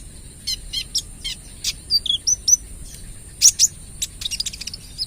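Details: Kolibri ninja trotol sunbird singing in 'tembakan' rapid-fire style, used as a lure. Bright upslurred whistles and buzzy high trills come in clusters, with sharp, ringing notes near the middle.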